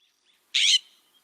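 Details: California Scrub-Jay in Central Oregon in spring gives one harsh, raspy call about a quarter-second long, broad and noisy, then a faint high whistle; a Western Meadowlark and a quail are in the background.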